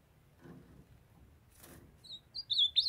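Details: Captive ultramarine grosbeaks, a female calling to warm up a young singing male: soft shuffling and a brief noise burst, then a short run of piercing, sweet whistled notes with quick upward and downward slurs.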